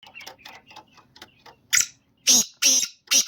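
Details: Black francolin call: soft scattered clicks lead into four loud, harsh, grating bursts spaced about a third of a second apart.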